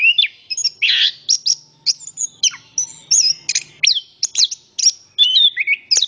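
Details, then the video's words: {'caption': 'Orange-headed thrush pouring out varied song, with loud scratchy bursts, piercing whistled downslurs and rapid twitters. Phrases come in quick succession and only a faint low hum sits beneath.'} "Anis kembang Istimewa Gacor banget ,suara burung"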